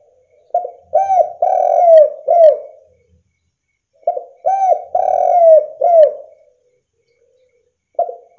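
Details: Spotted dove in full voice, calling to provoke rival doves into answering: two phrases of low, rounded coos, each a few short hooked notes then a long drawn coo and a falling final note, separated by about two seconds of silence.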